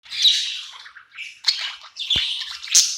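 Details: Pet budgie happy at night in a new home, singing and chirping: scratchy high warbled phrases with sharp clicks and chirps in short bursts separated by brief pauses.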